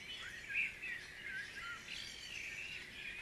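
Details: Short stretch of a Guisborough dawn chorus, with a bright whistled note standing out early on above a steady background of chirping and warbling from other birds.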